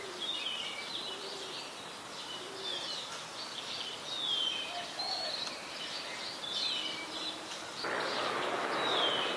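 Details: Adult Chestnut-headed Bee-eater at Ubon Ratchathani, Thailand, on 23 January 2021, recorded with a Nikon P1000: short high downslurred chirps, scattered irregularly over a steady hiss of environmental noise, with a burst of broadband noise near the end.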